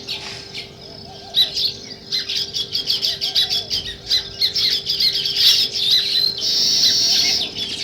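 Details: Morning sparrow chirping: starts quietly, then a run of separate sharp chirps about every quarter second builds into a dense twittering burst near the end, over a faint steady hum.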